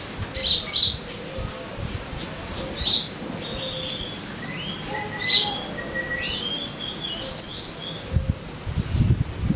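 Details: Sogon song for luring caged birds to sing: loud sharp chirps every couple of seconds mixed with softer slurred whistles and a thin high trill, then low rumbling noise at the end.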